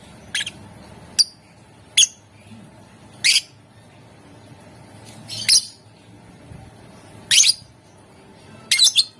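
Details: Lovebird calling to prompt other lovebirds to sing: an irregular series of shrill squawks and sharp chirps, some in quick clusters, spread over nine seconds against faint background noise.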